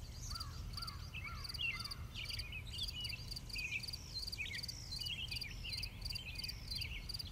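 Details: Western bluebirds gathering food for their young: a run of short whistled and chirped notes, some low and rising, others higher and twisting, over steady rhythmic insect pulsing and a low rumble.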